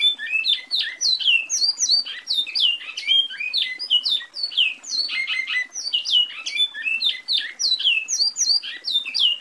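A great-billed seed-finch sings a fast, unbroken run of sweet whistled and slurred notes, high-pitched and varied, for the whole stretch with no other sounds.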